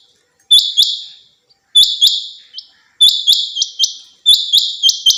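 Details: Caged female rain quail (batair) giving bright double chirps with buzzy tails, first spaced about 1.2 seconds apart, then quickening into a run of four rapid notes; nothing else audible.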